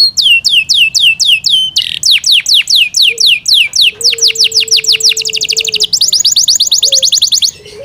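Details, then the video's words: Home-kept Yorkshire canary giving repeated chip-like slurs, then descending whistles and rapid high trills. A faint low tone sounds in the background. "Yorkshire canary Nice sound"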